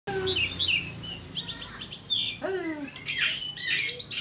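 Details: Asian pied starling (jalak suren) singing vigorously while puffing up, in a varied run of clear whistled slurs, falling notes and harsh chatter. The notes jump between low and high registers, with bursts of buzzy, noisy notes toward the end.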